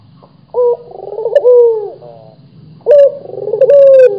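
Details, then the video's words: Local Barbary dove in full voice producing two rolling coos, each a short bright start, a fluttering trill and a long steady note falling away, over a steady low hum. "SUARA BURUNG PUTER GACOR | BURUNG PUTER LOKAL GACOR"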